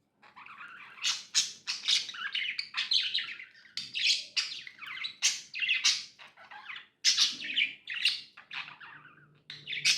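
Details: Pet budgies chirping continuously: a dense stream of high, sharp chirps and scratchy warbled notes with brief gaps, tumbling over one another throughout; faint steady low hum underneath.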